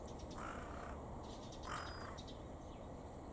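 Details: Two rough, harsh caws about a second apart from a carrion crow vocalising as it plays with rubbish, set against a constant noisy background with faint high thin whistles from a Japanese waxwing.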